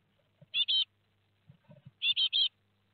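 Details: Great tit fledglings, four of them, leaving the nest at Théding, 17 July 2020, nest webcam: two bursts of harsh, buzzy calls, a pair and then a triplet, separated by quiet shuffling thumps.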